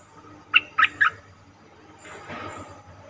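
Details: Cream-vented bulbul lure call for trapping, three quick bubbly notes followed by a stretch of soft rustling noise and a faint background hum.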